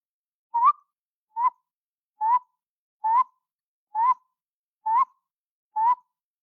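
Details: Tody Motmot in Panama, a bird that keeps to the dark understory, giving seven hollow, slightly rising whistled notes evenly spaced about a second apart against a quiet background.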